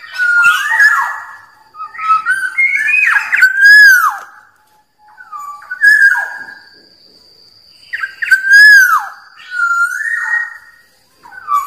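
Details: Black-naped oriole, a wild bird, in a song meant to lure rivals: bursts of rich, fluty whistles with downward slurs, separated by pauses of a second or two, with a faint steady high tone behind.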